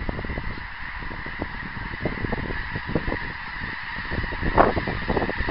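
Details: Geese calling in flight on 24 January 2010, a dense series of overlapping nasal honks from several birds over a steady rushing background.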